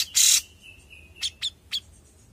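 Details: A young grey-cheeked bulbul gives one loud harsh rasp. A thin, level whistle follows and trails off. Three short sharp chips end the call, spaced a fraction of a second apart.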